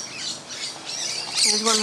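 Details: Musk lorikeets feeding in a tree out the front on a Christmas morning, a loud flock; harsh high squawks swell near the end over a hiss of distant chatter, with a man's voice faintly underneath.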